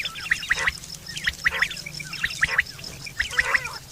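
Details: Quail, September 2023, a call used for hunting and for mating: crisp triple whistled phrases, each three evenly spaced sharp notes, repeated roughly every second over a faint steady background hum.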